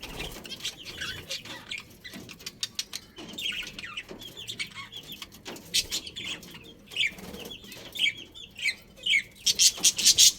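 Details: Chirping of a budgerigar breeding pair: scattered soft twitters build into sharp, loud repeated chirps toward the end, against a faint hum.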